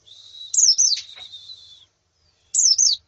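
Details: Calls of female and colony white-eyes used to train a male: a thin sustained high tone under sharp downward-slurred whistles, then after a pause another short falling phrase.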